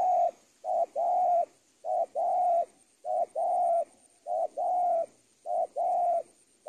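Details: Tutoring recording for training birds: a spotted dove gives a steady run of coos, each a brief note followed by a longer sustained one, about six pairs at a quick even rhythm.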